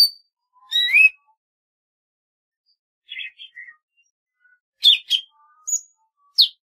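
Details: A golden-fronted leafbird sings a rising buzzy whistle, then short chattering notes and a burst of sharp high chips and a brief thin whistle.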